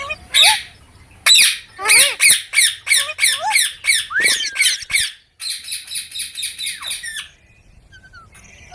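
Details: Baby rose-ringed parakeet: long runs of rapid harsh squawks repeated several times a second, broken by a brief pause, then a second quicker series that fades out.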